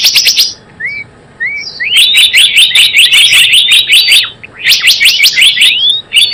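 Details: Java sparrow calling as a lure for trapping: a clicky chirp burst, a pause with two soft rising whistles, then a long run of quick high chirps and clicks.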